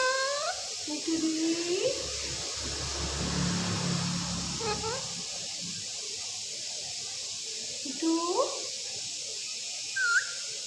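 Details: Captive speaking parrot repeats short rising, speech-like phrases at intervals of about three to four seconds, with a low rumble in between and steady hiss behind.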